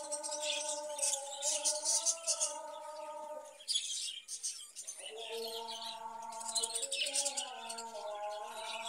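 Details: Budgerigars in a cage, kept for breeding, chatter in busy, buzzy, high-pitched twitters that come in bursts with a short lull midway, with sustained musical tones playing underneath.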